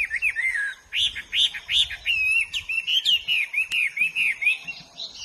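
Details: Hwamei in the wild in full song, its loud bright whistled notes grouped in rapid repeated phrases, with sharp upward slurs alternating with wavering, warbled tones, nearly continuous for five seconds.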